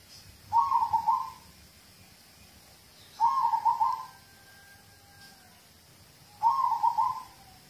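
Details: Local zebra dove singing, used to coax other birds into song: three short bubbling, trilled cooing phrases, each under a second long and roughly three seconds apart, with near silence between them.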